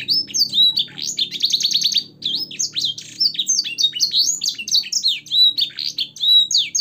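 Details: Training song of a caged canary with blackthroat and sanger phrases: loud, rapid warbling of high swept notes, including a fast trilled run early on, over a faint low hum.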